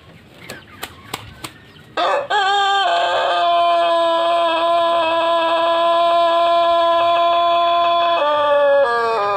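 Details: Pelung rooster with extremely long wattles gives a long crow after a few sharp clicks. It opens with a brief rising note, then holds a steady, richly harmonic tone for about six seconds before dipping at the end.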